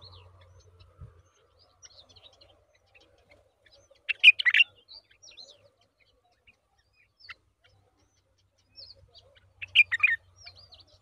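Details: Yellow-vented Bulbul feeding a very large worm to its young. Short clusters of sharp, bright chirps burst out around four and ten seconds. Quiet between them, with scattered faint ticks.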